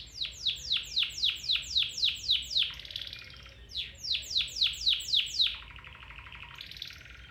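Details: Domestic canary song meant to stimulate a canary to sing: two bursts of rapid descending sweeps, each about four per second, separated by buzzy trills, ending in a low rattling trill.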